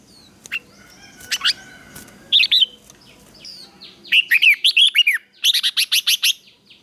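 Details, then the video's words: Red-whiskered bulbul morning fighting song for training wild-caught birds: after a noisy start with faint other calls, a run of quick, rhythmic, bubbly whistled notes builds into dense repeated phrases. "Luyện chào mào hót sáng | chào mào hót đấu"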